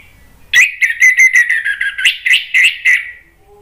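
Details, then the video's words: Orange-headed thrush song used as a lure to prompt a silent bird to sing and answer. Rapid run of about ten clear, rich whistled notes at a steady mid-high pitch, lasting about two and a half seconds, over a quiet background. "PANCINGAN ANIS MERAH agar BUNYI jadi NYAUT GACOR NGEPLONG"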